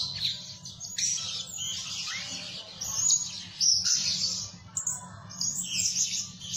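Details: Blue-crowned hanging parrot used as a lure bird, said to call day and night; dense, high chattering and buzzy twittering notes run almost continuously, with louder bursts near three and four seconds over a low background hum.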